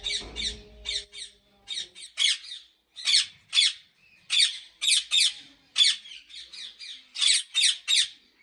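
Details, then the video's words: Harsh, raspy squawks from ringneck parrots kept at a big Pakistani breeding farm come in quick pairs and short runs of two to four with brief pauses between groups; a low thump is heard at the start. "Pakistan biggest Breeding Ringneck parrot farm"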